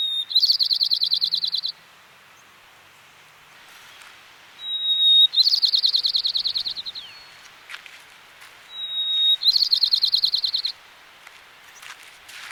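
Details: White-crowned sparrow singing in the Sierra foothills, California: three phrases about four seconds apart, each a clear high whistle sliding into a rapid, buzzy trill of over a second, in a quiet setting.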